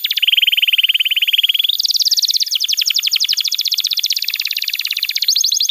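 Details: Canary song used to coach young and silent canaries: a steady rolling trill, then higher rapid sweeping notes in a long even series, closing with a bright high trill.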